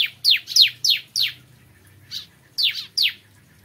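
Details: Loud, clear bar-winged prinia song heard in the morning: a quick series of high, descending chirps, a short pause, then a few more of the same notes.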